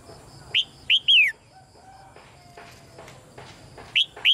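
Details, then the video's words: Red-whiskered bulbul chirp calls used to stimulate male singing. Three quick whistled notes, each rising then dropping, then soft scattered background sounds, and two further notes near the end. "นกหัวจุก birds - เสียงนกร้องเจี๊ยก ๆ กระตุ้นการขับขานของนกตัวผู้"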